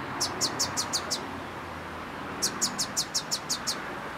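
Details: Perched on a branch, a small bird delivers a phrase of five high, quick descending chirps, then after roughly a second's pause a longer run of about eight similar notes, against continuous background noise and low rumble.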